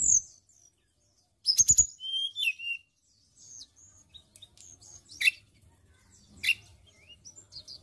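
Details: Indonesian white-browed shortwing singing, a recording meant to lure songbirds in training: a loud burst of high whistles and slurred notes, followed by scattered thin, sharp chips and brief squeaky notes over faint low rumble.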